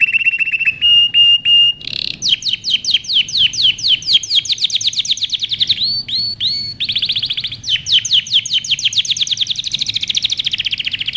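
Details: Canary singing a training song: short flat whistled tones with clicky overtones open the phrase, followed by rapid rolling trills, a few rounded swooping notes, and more quick chattering runs, bright and continuous.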